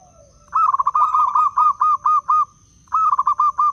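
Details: Zebra dove, a wild-type local bird from Blora, its voice used to lure and stir other doves: a rolling cooed phrase of about nine quick pulses, then a second phrase beginning, with a steady high hum behind.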